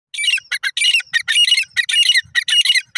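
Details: Grey francolin calling: loud, harsh, shrill squawking notes delivered in rapid multi-syllable bursts, roughly two bursts per second, strong and close with no other clear sounds.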